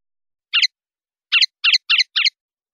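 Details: Linnet in the clean 'limpio' song style, from a 2019/2020 CD: one harsh, buzzy twanging note, then after a pause four more in quick succession, roughly every quarter second.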